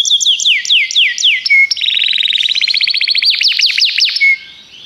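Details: Common canary singing: descending whistled sweeps repeated rapidly, a brief pure note, then a fast buzzy trill of rising strokes ending in steep falling slurs.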